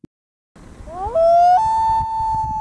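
A common loon gives a long, mournful wail, sliding up from a low note to a high one and holding it steadily like a crying howl.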